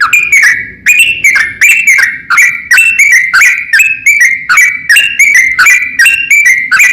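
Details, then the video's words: Yellow-vented bulbul singing, used to provoke reluctant or stressed bulbuls into replying. Fast, liquid, warbling notes repeat in short rolling phrases about twice a second, steady and loud throughout, with no other sounds. "suara kicau trucukan bikin lawan auto nyaut EMOSI"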